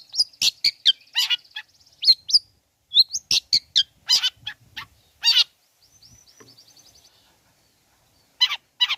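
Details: Long-tailed shrike song played to provoke other shrikes: a busy run of high chirps, rasps and clicks, a thin trilled whistle, then a pause and more harsh notes.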